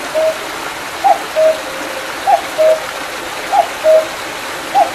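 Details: Two-note cu-coo of a cuckoo, high then lower, repeated roughly every 1.2 seconds over a steady stream rush, recorded in the mountains behind Mandeok-dong after rain in July 2019.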